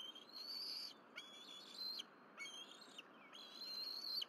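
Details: At a Berry College bald eagle nest, April 12, 2023, a family of three feeds on fish on the nest. Four piercing, sustained whistles, each nearly a second long, slightly wavering and rising, separated by brief pauses.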